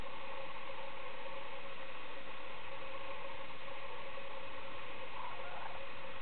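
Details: Steady low rumble of an idling engine or vehicle with broadband hiss throughout, no animal voices standing out.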